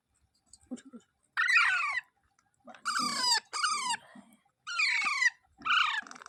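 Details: Parrot uttering a series of coarse, descending squawks in close pairs, with soft low rustling and thumps between calls.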